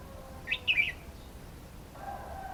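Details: Red-whiskered bulbul giving one short, liquid phrase of three quick chirpy notes, then quiet with a faint low hum and background noise.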